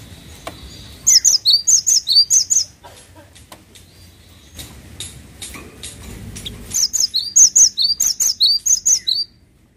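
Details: Cinereous tit singing actively: two bursts of rapid, high, paired whistled notes repeated about twice a second, separated by a pause with faint clicks and soft background chirps.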